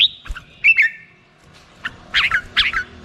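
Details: Red-whiskered bulbul song: a few scattered fluty chirps, then two short bubbling whistled phrases near the end, with quiet gaps between notes.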